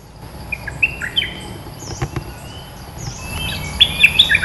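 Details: Red-eyed bulbul, described as a territory holder with a fine voice used to lure birds, sings loud, bright, clipped chirps and short whistled phrases, faster and denser toward the end, with faint background rumble.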